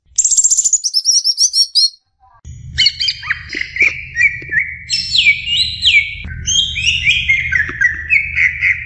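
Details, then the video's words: Caged greater green leafbird (cucak ijo) in full song to stir a beginner bird: a fast high chirping burst, a brief pause, then varied whistled phrases sliding and stepping between notes over a steady low hum. "SI CUCAK IJO NGOCEH MEMBANGUNKAN CUCAK IJO PEMULA"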